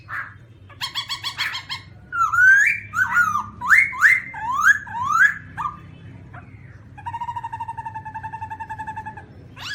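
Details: Harsh buzzy bursts from a black-throated laughingthrush lead into a series of rising whistled upslurs, then a steady, evenly pulsed harmonic trill lasting several seconds.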